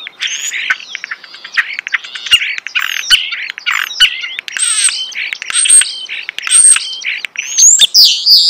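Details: Busy, varied song of a starling recorded nearby: fast chatter, clicks, high thin whistles and rattles run together, ending in a high upward-slurred whistle.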